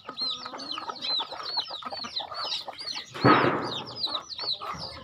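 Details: Chickens feeding on a farm: steady high, arched peeping from several birds over soft clucks, interrupted midway by a brief loud rustling burst like flapping wings.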